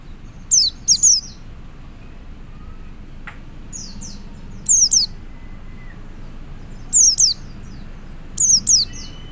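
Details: A male white-eye calls out to others of its kind with short, piercing, downward-slurred notes in pairs and triplets, separated by gaps of about two seconds over a quiet hiss.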